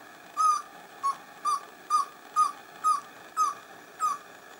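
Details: Pale-billed antpitta (Grallaria carrikeri) call in humid montane bamboo forest at San Lorenzo, northern Peru: eight short, hollow hooted notes of steady middle pitch, about two per second, slightly uneven, over a faint hiss.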